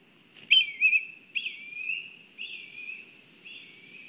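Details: A black kite at its nest in Kurzeme, Latvia, during a disturbance, gives a series of thin, wavering whistles, each about a second long, with a faint rustle of background noise.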